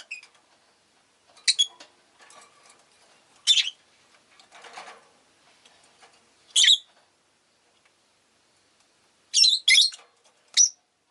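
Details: Captive rosy-faced lovebirds, several calling fairly often, give single harsh chirps every two to three seconds. A quick cluster of three shrill notes comes near the end, with soft rustling between calls.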